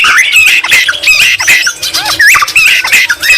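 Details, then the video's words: White-rumped shama delivering a fast, squawky series of mid-pitched notes about three per second, with twisting whistled slurs. The song is stuffed with green leafbird imitations. "Murai batu isian cucak ijo Gacor Mewah"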